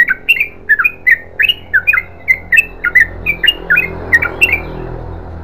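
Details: Yellow-vented bulbul in continuous chatter: loud, sharp, slurred two-note bursts about three per second, a burry, squawky edge to each, fading toward the end.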